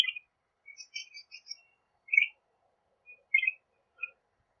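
Northern Shrike giving a halting song of short, high whistled and slightly harsh notes, with bursts and pauses of a second or so between phrases.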